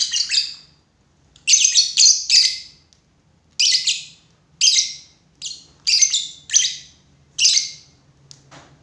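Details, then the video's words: Lovebird giving loud, shrill, high chirps in short bursts of two to four notes, separated by brief pauses, over a faint low hum. "lovebird // burung cinta"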